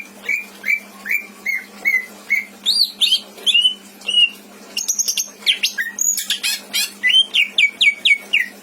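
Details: Caged greater green leafbird kept in Indramayu, Indonesia, singing a song full of imitated phrases: a run of short upslurred whistles, then sharp high notes, and a fast series of descending whistled slurs at the end.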